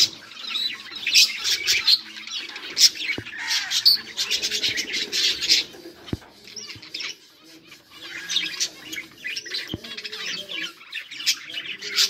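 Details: Budgerigar colony chirping and playing on 24 July 2023: bursts of dense warbled chatter from many birds, pausing briefly around the middle before resuming, with occasional sharp clicks.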